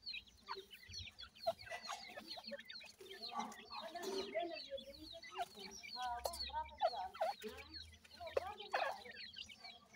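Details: White grey francolin chicks being fed, a dense chorus of thin, high peeps and rapid chirps with some lower notes, and handling noises scattered throughout.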